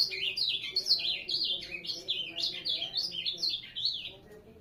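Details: Ultramarine grosbeak singing a fast, warbling phrase of high notes that sweep down and up in quick succession, loud and continuous, then trailing off at the end.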